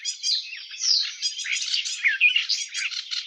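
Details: Garden warbler (Sylvia borin) giving a brief, softer passage of smooth, blended warbling notes, running continuously for a few seconds.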